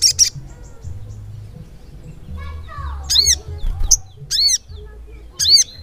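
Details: Continuous ngleper song of a crimson sunbird (sogok ontong). Scattered sharp, high, arching notes and short clicks follow a quieter stretch. Low background rumble throughout.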